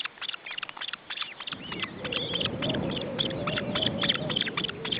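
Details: Osprey nestlings being fed at the nest in June 2012 give quick, piercing high chips in a fast stream, with a few drawn-out rising whistles, while a low droning hum starts midway.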